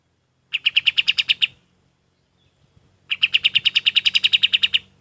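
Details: Golden-bellied gerygone (kapas tembak) singing material meant for training other birds. Two rapid strings of clear, high, evenly pulsed notes: a one-second run of about ten, then after a pause a longer run of nearly twenty.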